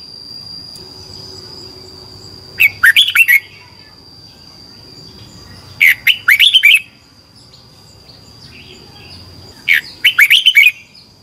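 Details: Red-whiskered bulbul in competition song used for training birds, three short bursts of quick, bright whistled and slurred notes spaced about three to four seconds apart, with quiet gaps between and a constant thin high tone behind.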